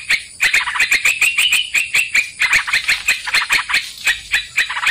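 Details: Sooty-headed bulbul song used as a lure to catch birds: lively chattering phrases of rapid bright notes, nearly continuous, with a short gap early on and sharp tick sounds scattered across.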